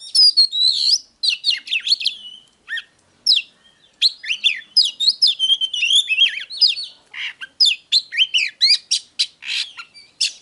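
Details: Oriental magpie-robin delivering a long 'déo' song for provoking wild-caught birds to fight, with dense sequences of sweet whistles, buzzy chirps and sharp clicks, pausing briefly before resuming in fast, uneven phrases; clean recording.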